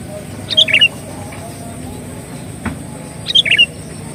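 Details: Sooty-headed bulbul song used to attract birds. A short liquid, chattering phrase is given, then repeated nearly three seconds later, with a soft knock in between.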